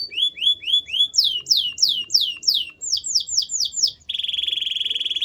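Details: Singing canary delivering a series of down-slurred whistled notes, repeated about twice a second, then a very rapid even buzzing trill held steady at the end.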